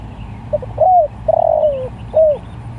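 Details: Spotted dove calling to other doves: a soft short coo, then an arched coo, a long quavering coo sliding downward, and a final rising-falling coo, over a steady low hum.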